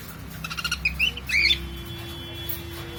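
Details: Cockatiel kept as a pet uttering a quick run of small chirps followed by one loud, harsh rising squawk, while a steady electronic tone and low hum continue underneath.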